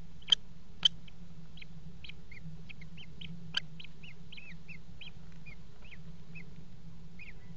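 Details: Common kestrel at a nest box in a water tower, 5 February 2018, around mating on the box edge: short high tonal notes repeated about twice a second, some slurred downward, with a few sharp knocks and a steady low hum.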